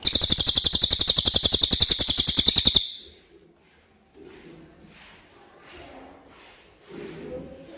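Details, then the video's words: Common iora, clear song suitable as a tutor recording for white-rumped shamas: nearly three seconds of fast, even, high rattling trill, then quiet with soft low rustling and faint distant noise. "suara cililin jernih"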